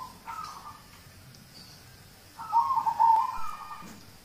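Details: Zebra dove of a local type, recorded as a lure to prompt other birds to sing: a faint short coo phrase, then after a quiet gap one loud, fluttering trilled phrase lasting about a second, with soft hum behind.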